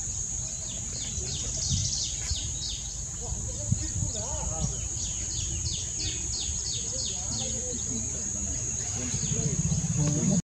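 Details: A recently fledged juvenile White-naped Tit, resting and preening, gives quick, high, downslurred chirps in rapid series over a steady insect whine, with a person speaking softly.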